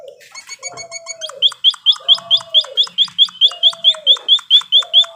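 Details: On a training recording for cage birds, a white-headed munia gives a brief mixed twitter, then a steady series of bright, rising chirps about twice a second, interleaved with low, drawn-out falling whistles.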